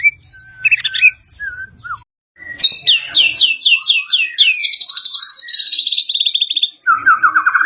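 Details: Mottled (blorok) Medan white-rumped shama singing: scattered high whistled notes and a falling slur, a short silence, then a fast series of sharp rising chirps running into a steady high trill, closing with a lower rapid rattle.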